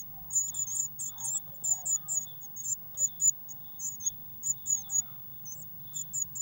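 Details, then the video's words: Eurasian blue tits inside a nest box, 19 May 2019, with waxworms just put in the feeder; sharp, high-pitched cheeps come in quick pulses roughly three to four per second over a faint low hum. "Blue Tit Nest Box"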